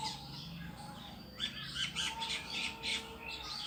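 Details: Bird sitting by itself in a tree gives rapid high chirping notes, clustered in bursts after a quieter start, with a faint low background drone.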